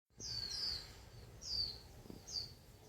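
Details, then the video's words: Wild bird singing naturally in the countryside: three high, thin whistled notes, each sliding slightly downward, spaced about 0.9 seconds apart over a low rural background hum. "chim hót tự nhiên"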